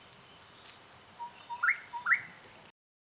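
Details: Gorgeous bushshrike in Southern Africa: soft low notes lead into two bright rising whistles, one brief phrase before the sound cuts off.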